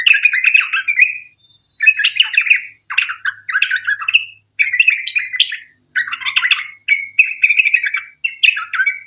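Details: Sooty-headed bulbul song of the long 'ropel panjang' style, used to prompt other bulbuls to sing; bursts of bubbly chattering phrases about a second long, separated by short silences.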